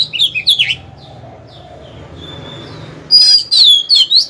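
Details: A captive decoy Oriental magpie-robin sings to stimulate and lure a rival into fighting: loud, varied bursts of sweet whistles and scratchy notes, rising and falling, pausing briefly between phrases before a rich closing flourish.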